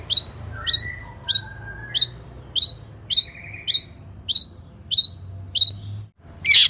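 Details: Long-tailed shrike in lure song aimed at making other shrikes sing. Sharp, emphatic notes repeat at an even pace, about one every two-thirds of a second, ending with a harsh burst.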